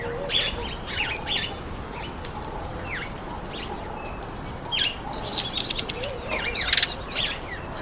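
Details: Speckled mousebirds feeding on an apple utter thin, high chirps and downslurred squeaks, thickening into a quick burst of sharp repeated notes near the end, over soft background hiss.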